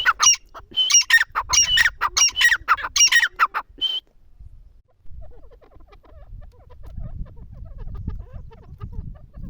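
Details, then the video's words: Partridge calling in a burst of harsh, squawking notes, repeated rapidly for about four seconds, then falling silent, leaving a faint low rumble and scattered soft chirps. "teetar ke awaz"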